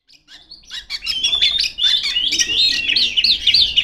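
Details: Female Oriental magpie-robin singing full and loud to call rivals: a dense run of high whistles and sharp chirps, rising and wavering, with quick buzzy notes packed near the end.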